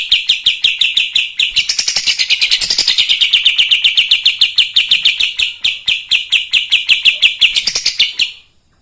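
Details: Kapas tembak in full continuous chattering song, used to provoke other birds: a long run of rapid, harsh, buzzy notes repeated about four times a second for roughly eight seconds, rising into a brighter, denser stretch midway, then stopping abruptly.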